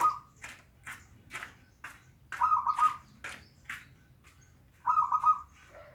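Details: Song of a local zebra dove used as a lure for a reluctant singer: brief trilled coo phrases at the start, middle and end, with regular tapping or clicking sounds between them.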